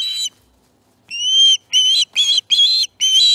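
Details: Feeding time at an osprey nest on 18 September 2019 brings a handful of longer whistled calls, each held about half a second, shrill and slightly wavering, separated by short gaps.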